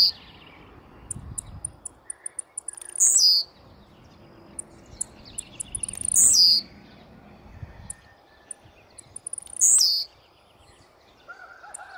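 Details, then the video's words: Blue-black grassquit in aggressive mood, giving three brief high buzzy song bursts, each dropping in pitch, spaced roughly three seconds apart over a quiet background with scattered soft clicks. "TIZIU MUITO AGRESSIVO CANTANDO!!!"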